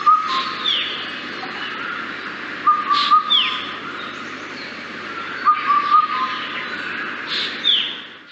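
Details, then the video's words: An Indian cuckoo repeats its four-note whistled call, likened to 'one more bottle', about every three seconds. Another bird adds high, falling whistles over a steady background hiss. "So again here Indian cuckoo call is repetitive"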